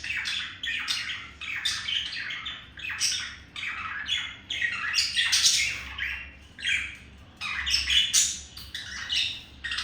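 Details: Pet male budgie singing to a female during courtship, indoors; continuous rapid chatter of harsh squawks, clicks and squeaky notes in irregular bursts every second or so.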